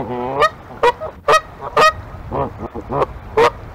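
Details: Two Canada geese testing an eagle's nest on the morning of 9 March 2022, behaving as if defending it, honk loudly, about eight harsh, nasal honks at irregular intervals over a few seconds, with softer calls between.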